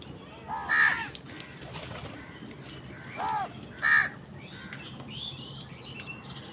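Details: During a scramble with wild birds for food, two sharp, short crow caws stand out among softer, lower calls and faint chatter.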